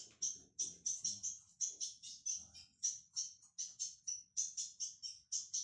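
A young ultramarine grosbeak gives a steady string of high, sharp chipping notes, about three per second, with faint low knocks in the background.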